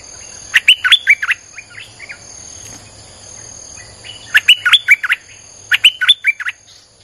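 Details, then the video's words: A Streak-eared bulbul sings nonstop in this lure recording for wild birds: three phrases of rapid, gurgling chirped notes, each run of about six notes, with softer notes in between and a steady high tone behind. "เสียงนกดอกแตงEp.159จ้าวขุนศึก สับดอกแบบไม่พัก!!ใช้เปิดล่อนกป่า Suara pikat merbah lekir"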